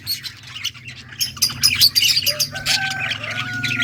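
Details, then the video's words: Yellow budgerigars chirping: fast, buzzy high chatter and squawks rising in loudness, with a few thin sustained whistled tones near the end over a low hum. "Beautiful yellow budgies chirping sounds 💛 Beautiful Australian parrots talking"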